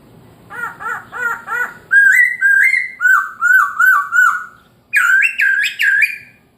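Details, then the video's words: Chinese hwamei morning song used to provoke other birds: quick repeated chattering notes, then series of loud slurred whistles, ending in a strong wavering phrase; faint low background hum early on. "POKSAY HONGKONG kicau pagi hari buat EMOSI burung lain"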